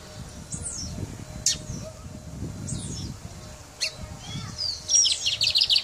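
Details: Guyana brown mustache finch in song, giving spaced, high, sweeping down-slurred whistles every couple of seconds, then a quick burst of high chips near the end, over a low, rumbling background.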